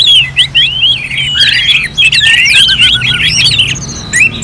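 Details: Orange-headed thrush (anis merah), a kept bird from North Bali, Singaraja, used as contest-style practice song: a rapid, varied stream of bright whistled and slurred phrases, rising and falling, nearly continuous with short breaks, a faint low hum beneath.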